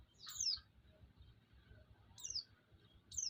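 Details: White-eye chirps played to provoke rival white-eyes and stir them up: three thin, piercing notes dropping in pitch, spaced about two seconds apart, with quiet low-frequency background noise between.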